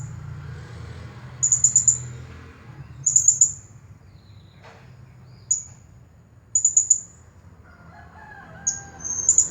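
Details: Blue-crowned hanging parrot, a champion singer, delivering 'Nagih Hutang' style song: groups of three or four very high, squeaky notes spaced a second or two apart, with lone notes and a low background rumble.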